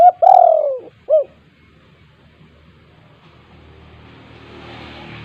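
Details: Spotted dove 'kuk 2' calling for luring reluctant doves: a long, falling mellow coo and a short hooked closing note, followed by fading quiet hiss.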